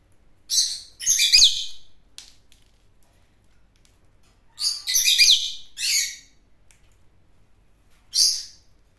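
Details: Bird flock calls: bunches of harsh, scratchy chatter notes that come and go irregularly, with quiet gaps between.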